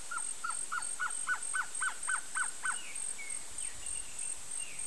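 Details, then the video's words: Male Blue-crowned Trogon (Trogon curucui, surucuá-de-barriga-vermelha) gives a quick series of about ten short, mid-pitched notes, roughly three per second, then a few faint higher notes. "BLUE-CROWNED TROGON male (TROGON CURUCUI), SURUCUÁ-DE-BARRIGA-VERMELHA"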